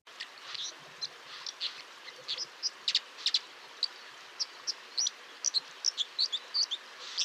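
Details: White-throated dipper (Cinclus cinclus) calling: sharp, high, scratchy notes in a quick irregular string, several per second, over a steady rushing background like a stream.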